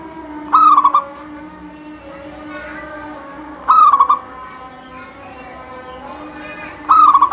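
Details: Local zebra dove singing in full voice, a song meant to set other doves singing: three loud cooing phrases about three seconds apart, each a short bright note that drops into a rolling, stuttered coo. Faint murmuring and hum sit underneath.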